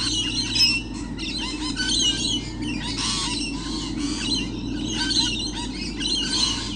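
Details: A crowd of lorikeets on 28 November 2013 keeps up continuous loud, shrill, overlapping screeching and squawking, a dense raucous chorus with a low steady hum below.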